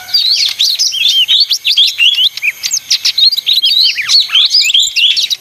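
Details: Energetic leafbird song of rapid, twisting whistles and chirps in choppy bursts, repeated several times per second with tiny gaps.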